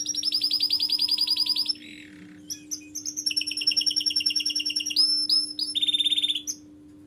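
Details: Canary singing a varied song: rapid buzzy trills, clear whistled tones and repeated sweeping notes in quick phrases, with a steady low electrical hum underneath.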